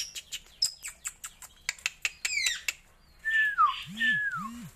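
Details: Asian glossy starling (raja perling) kept in captivity: a rapid series of dry clicks and sharp chips, then a short rising buzzy run, ending with two clear descending whistles over a soft low hum.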